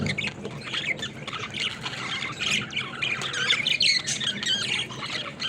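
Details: Budgerigars playing together in a cage, dense overlapping squawks and warbled chirps forming a continuous busy chatter with a low background hum.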